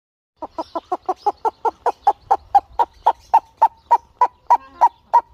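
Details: A tame male purple-crested turaco gives about twenty loud, harsh, croaking notes, rapid at first and then slowing to a steady beat, each note mid-pitched.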